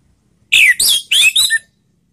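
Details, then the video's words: Orange-headed thrush voice played as a lure to prompt other birds to sing: four quick, harsh, scratchy notes in a short burst lasting about one second, each slurring downward, with a clean, quiet background. "SUARA PANGGILAN ANIS MERAH || PANCINGAN bikin cepat bunyi"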